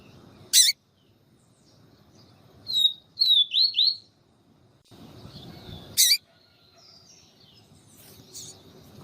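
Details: Papa-capim with a calling female to excite the male: a few sharp high whistled slurs near the middle, between two loud broadband clicks at the start and near the end, over low background noise.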